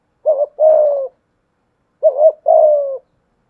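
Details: Decoy spotted dove, 'thổ pha thúc' voice, cooing to challenge a wild dove: two phrases, each a brief doubled note running into a long, slightly descending coo, separated by a second of silence.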